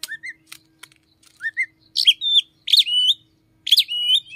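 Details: An Oriental magpie-robin sings in the morning, its voice said to borrow from the red-headed flowerpecker; crisp clicks and short rising whistles build into loud repeated phrases of harsh buzzy notes, each ending in a drawn whistle.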